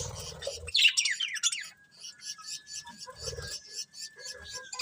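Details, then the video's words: Budgies chirping: a sharp falling squawky phrase early, then a long thin steady whistle under rapid soft repeated high chirps, with light rustling noises. "Cute Colourful Budgies Chirping Sounds"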